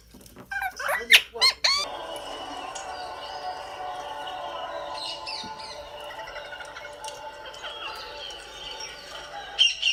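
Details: Pet rose-ringed parakeet indoors giving a quick cluster of harsh, screechy squawks, followed by a steady indoor hum, faint chirps, and one more squawk at the end.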